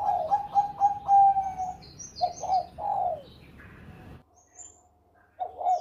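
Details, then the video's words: Bangkok zebra dove, a champion bird, delivering Susi Susanti-style song: quick staccato cooing notes running into a sustained trilled phrase, then separate throaty downward coos, a short lull, and a fresh note. "Perkutut Bangkok Gacor Suara Merdu Cengkok Susi Susanti Juara"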